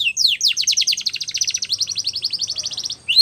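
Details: Belgian canary singing as a training song for young canaries, a long rapid series of descending slurred whistles repeated about ten times a second, ending with a rising upslurred note.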